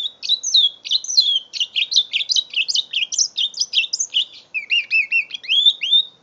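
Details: Mule canary, five months old, pouring out a loud unbroken song of fast chirps, rolling trills and rising whistles, with a series of paired downslurred notes near the end; background nearly silent.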